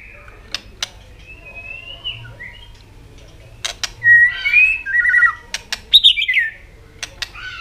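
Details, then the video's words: White-rumped shama song meant to incite other birds to sing. A few scattered clicks and soft, faint whistles come first. A louder burst of slurred, warbled whistled phrases follows, then a few more clicks. "kích chòe lửa hót cực sung.chòe lửa hót tạch liên tục kích thích chim ức chế"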